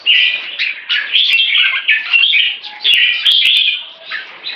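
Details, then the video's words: Red-whiskered bulbul performing one stroke singing leading to keke, a lively series of bubbling, slurred warble phrases rising and falling in loudness, with a few faint clicks. "One stroke singing lead to keke"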